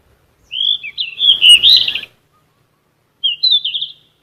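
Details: Yellow-rumped flycatcher song, played as vocal therapy for captive songbirds: a loud warbled run of high whistled, twisting notes lasting about one and a half seconds, then a shorter whistled phrase after a pause. No other sounds.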